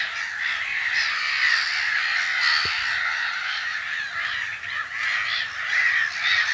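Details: Nesting black-headed gulls in spring 2012 at a Brenne hide in the Berry; a thick wall of grating, overlapping cries from a crowded colony, with one brief sharp click near the middle.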